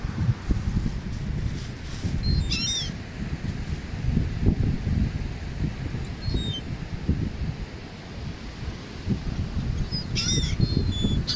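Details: Wild gulls flying overhead while being fed on the beach at Atlantic City, New Jersey, USA; two short bursts of harsh, laughing calls, with a fainter call between them, over a steady low roar of wind and surf.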